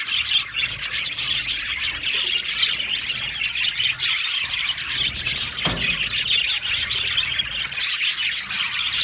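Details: Happy budgies from an Australian budgie aviary colony keep up busy overlapping chirps, high squeaky tweets and scratchy warbling with a few louder squawks, steady throughout with no pauses.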